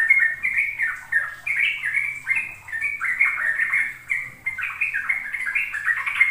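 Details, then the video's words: Rapid ropel song of a sooty-headed bulbul, played for young birds learning to sing: continuous chain of clear, slurred whistles rising and falling, loud and evenly sustained throughout. "Pancingan trucuk agar trucukan BAHAN PAUD ikut belajar ropel"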